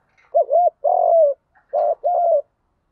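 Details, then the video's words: Lure recording of a spotted dove in field-voice fighting coo: two quick coo pairs, each opening with a wavering short note and ending in a long steady hoot, on a clean, quiet background. "Chim cu gáy giọng đồng gù đấu liên tục dúp bổi ức chế rất cao"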